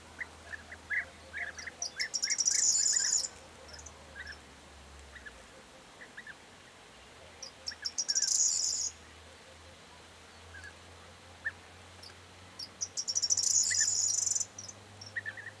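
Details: Corn bunting (Emberiza calandra), recorded 4 June 2022, repeating its short, dry, jangling song about every five seconds, a few ticks running into a high glassy rattle, with faint chirps from other birds.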